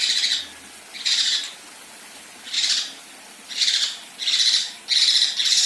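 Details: Female Kinoi in 'besetan' and 'tembakan kasar' style: six harsh, noisy rasping bursts, each about half a second long, spaced irregularly a second or so apart, with a quiet background between them.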